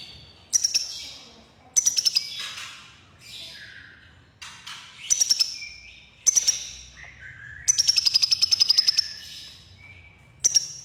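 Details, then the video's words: Crimson sunbird, konin, with red breast, singing energetically: high-pitched whistled phrases with fast ticking trills, including one longer rattling run, delivered in irregular bursts with short gaps between them. "Burung KONIN Kolibri Ninja DAMER Dada Merah Gacor || CHIRPING SOUND ||"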